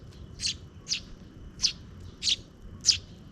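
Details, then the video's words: Near dusk, two sparrow chicks being fed by their parent; five high chirps spaced about half a second apart, moderately loud, over faint low noise. "The two chicks being fed by the parent bird near dusk are cute."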